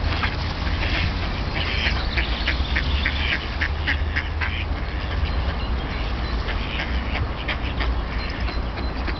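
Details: Wintering wild ducks among hundreds on the small Tourujoki river in Jyväskylä, Finland, its water kept ice-free by a paper mill; quick runs of harsh quacks, densest early, then scattered calls against a constant low drone.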